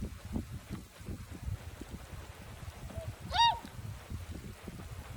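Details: Swans resting in a planted paddy beside their feeding ground on a warm day of the first spring south wind, giving calls unlike their usual ones, possibly before flying north: one loud nasal, harmonic honk, a fainter note just before, over gusty wind rumble.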